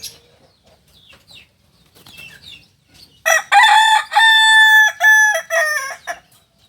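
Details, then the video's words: Kokok Balenggek rooster, the native singing chicken of Solok, giving a crow of the landiak class: after about three seconds a long multi-syllable crow of sustained, rich harmonic notes separated by brief gaps, preceded by faint chirps. "Ayam kukuak balenggek ayam penyanyi asli solok dengan kokok kls landiak"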